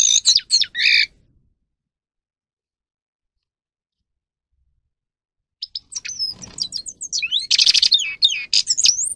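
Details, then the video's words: Grey-crowned goldfinch (Carduelis caniceps) song for stimulating birds to sing: a brief twittering burst ending in a buzzy note, a long pause, then a dense run of high rising and falling whistles and rattles. "(Carduelis caniceps) Goldfinch song Best for training"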